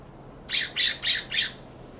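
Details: Harsh scolding call series from a California scrub jay perched in a backyard plum: four rapid, evenly spaced rasping squawks, broad and noisy, delivered within one second.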